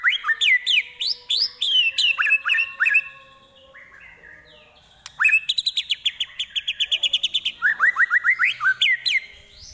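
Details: White-rumped shama performing a mimicry song with prenjak, kapas tembak and elang imitations: rapid upslurred chirps, a quiet pause, then a dense fast trill of repeated notes and further rising chips.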